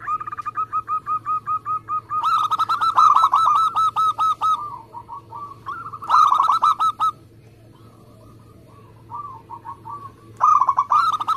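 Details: Local Indonesian zebra dove in full song, long fast runs of trilled coos lasting up to three seconds, alternating with softer, slower cooing phrases from another dove, over a constant low hum.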